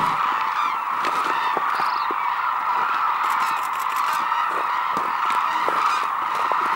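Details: Cranes, Hooded and White-naped, wintering at Arasaki Crane Center in Kyushu, Japan, in a snowy landscape; a dense, continuous chorus of many birds calling at once, high trumpeting notes blending into a steady din.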